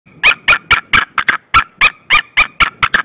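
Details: Female white-tailed eagle calling repeatedly at her nest at Saunja, Estonia, on 25 March 2013 in mid-afternoon. Sharp, barking yelps come in a fast, even series of about twelve notes in three seconds, and the last few notes are quicker and clipped.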